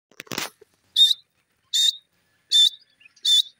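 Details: Grey francolin, locally called teetar, giving four short, loud, harsh high notes spaced about 0.7 seconds apart, after a brief rustling click at the start.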